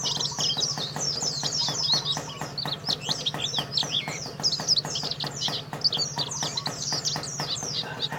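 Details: Champion white-eye from Karawang, Indonesia, singing a lively, rapid stream of high twittering notes and downslurs, with regular ticking clicks and a low background hum.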